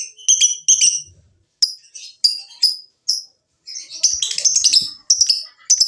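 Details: Lovebird calling to prompt other lovebirds to sing: irregular sharp, high squeaks and short whistled chips, some paired, with a burst of scratchy chatter around the middle.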